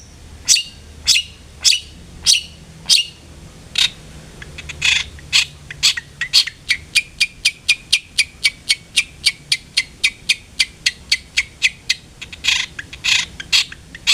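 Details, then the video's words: Long-tailed shrike, played as a lure to encourage a kept bird to sing often: a long series of sharp, clicking high notes, slow at first, then speeding into a steady rapid train. "PANCINGAN CENDET AGAR RAJIN BUNYI"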